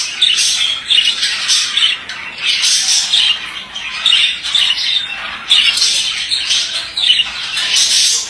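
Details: Male budgie chattering in repeated phrases, about every second, each a scratchy mix of squeaks, clicks and bright whistled chirps.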